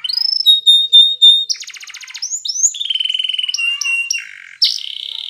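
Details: Spanish Timbrado canary training song. Long steady whistle, a buzzing trill, sliding notes, a fast rattle, and a loud final burst.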